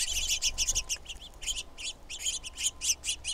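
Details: Female red-shafted Northern Flicker calling: a steady run of harsh, nasal notes, roughly four to five each second, some doubled, carrying on for over three seconds above a faint low hum.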